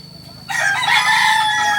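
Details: Kukuak Balenggek chicken, a native Solok rooster, crowing: after half a second of quiet, a loud, sustained, bright crow begins and holds steady to the end.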